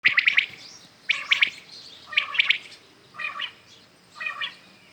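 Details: ['Common quails calling in the morning: sharp three-note whistled phrases near the same pitch, each triplet repeated about once a second, with fainter answering triplets afterward.']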